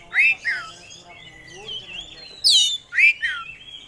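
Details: Kacer songbird, an oriental magpie-robin, delivering loud swooping whistles that rise and fall, separated by a thin sustained high note.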